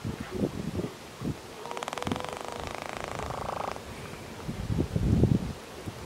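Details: A male wandering albatross gives a rapid, rattling, pulsed trill lasting about two seconds during its courtship "sky calling" display, with low thumps and wind noise; recorded 26 December 2016 in the sub-Antarctic Prince Edward Islands, breeding season.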